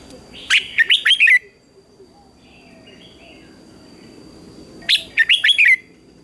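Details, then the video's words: Red-whiskered bulbul singing in a morning contest: two fast phrases of five or six bright, sliding whistles, roughly four seconds apart, with quiet chirps from other birds between them. "Chào Mào Hót Đấu Sáng"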